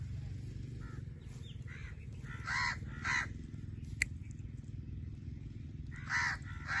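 A blue-fronted amazon gives harsh, raspy squawks: a quick pair of calls, then another after a pause, with fainter croaks in between. A steady low hum runs underneath.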